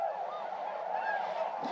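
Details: Hundreds of wintering tundra swans in eastern North Carolina, early December at first light, some flying in, give soft, mellow, hooting calls that overlap continuously, a muffled flock chorus with no other clear sounds.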